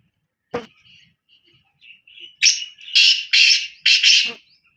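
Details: After a sharp click and soft squeaky notes, a black francolin bursts into its call of four loud, buzzy, grating notes ending in a doubled note.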